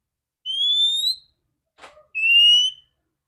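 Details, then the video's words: Female Oriental magpie-robin (kacer), used to stimulate males to sing. Two long clear whistles, the first slightly rising and the second level, with a soft short click between them. "Terapi burung kacer betina super joss vocal ngeplong kacer jantan"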